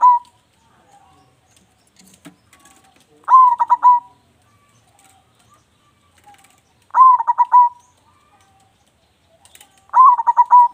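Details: Local zebra dove singing actively with a loud voice, used as a lure: the end of one phrase, then three repeated phrases about every three seconds of a rising note and pulsed rolling coos, with faint clicks between.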